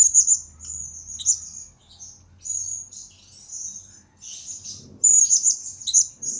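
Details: Blue-crowned hanging parrot, recorded as lure and master audio for training birds, delivering a continuous stream of high, sibilant twitters and squeaks that grows louder and busier toward the end.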